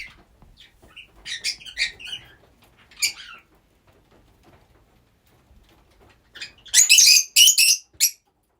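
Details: Rosy-faced lovebirds kept as a group chatter in high squeaky chirps, go quiet for a few seconds, then erupt into loud, shrill, raspy screeches in three close bursts.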